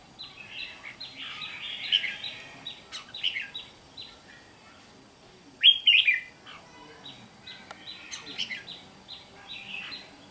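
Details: Wild-caught red-whiskered bulbul kept caged, recorded 8 June 2023, singing bouncy chirped phrases in clusters, with a strong ringing burst near six seconds and rhythmic repeated notes afterwards, above a faint constant whine.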